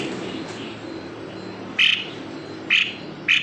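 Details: Three sharp, high notes from a White-necked babbler arrive close together after a quiet start with faint hiss; the recording is meant to lure silent birds of the species into song.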